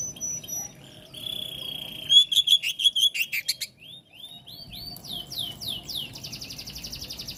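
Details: Oriental magpie-robin song to get other magpie-robins singing: a long steady whistle, a burst of rapid clipped notes, then a series of down-slurred whistles ending in a fast buzzy trill.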